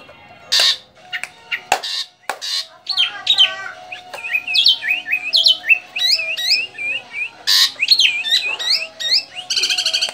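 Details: Javan drongo, described as rare and nearly extinct, singing a lively varied sequence of sharp clicks, bending whistled notes and rapid chattering trills, with harsh bursts mixed in.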